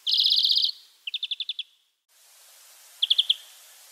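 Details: Wild European greenfinch giving song: a rapid trill of bright, ringing notes, then a slower series of about seven clipped notes, a short break, and a final burst of four quick notes over faint hiss.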